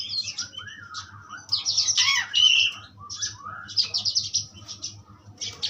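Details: Asian pied starling song, presented as a strong tutor recording: soft rising whistles and chatter leading to a loud burst of squeaky notes with one pure whistle, then fast stuttering trills; faint low hum throughout.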